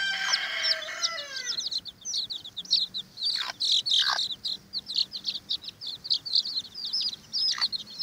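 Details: Watermaal bantam chicks quarrelling over an earthworm: an opening drawn-out harmonic cry that falls in pitch, followed by dense overlapping high peeps and occasional scuffling thuds.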